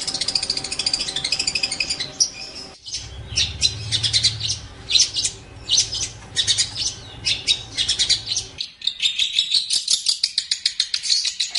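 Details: Long-tailed shrike (pentet or cendet) in a training song meant to teach other birds. Harsh high chatter, then dense scratchy trills, ending in a steady run of rapid ticking notes.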